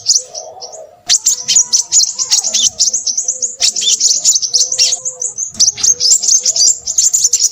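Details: After a second of softer calling, a Crimson sunbird bursts into shrill, fast chattering song that carries on with short pauses. Low hooting tones sound faintly behind it.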